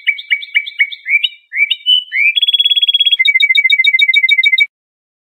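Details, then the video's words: Trained Iranian Lor-style goldfinch giving its calm training song for juvenile songbirds: looping, rising twitters, a long rising slur, then a fast buzzing rattle and a tidy string of bell-like ticks. Clean recording. "Iranian trained Lor goldfinch song for training juvenile songbirds."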